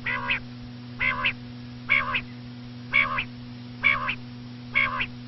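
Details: Common quail (batair) calling: a rich, nasal, harmonic two-part note repeated steadily about once a second, six times, over a constant low electrical hum.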